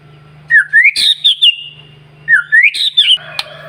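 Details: White-rumped shama singing to provoke other birds in the morning; the same rising whistled phrase with sharp, clicky ending notes is given twice, about two seconds apart, over a low hum.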